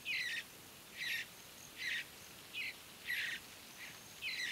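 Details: In early morning at Great Sand Dunes National Park, Colorado, juvenile mountain bluebirds that are begging, being fed and starting to forage give six harsh, raspy bursts, roughly one a second, over a quiet outdoor background.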